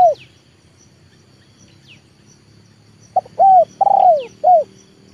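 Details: Leopard spotted dove kept as a trained decoy for luring wild birds gives a full cooing phrase: a short note, a clear coo, a long descending coo and a closing coo, over faint sharp chirps.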